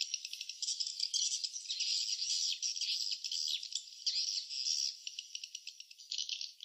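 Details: High rattling twitter of swiftlets at a nest, buzzy and irregular, with pauses and renewed bursts roughly every second, somewhat softer overall.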